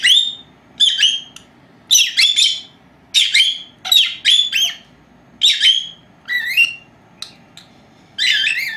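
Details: Two young female lovebirds, four months old, napping indoors, recorded by an unattended old camera; busy chatter of high squeaky chirps and short whistles, some longer wavering notes, close together with brief gaps.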